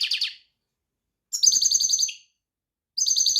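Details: A European goldfinch gives a buzzy trill that fades, then a sustained run of fast high twittering notes dropping at the end, and a new twitter begins. Faint low rustling or clicking sounds accompany it.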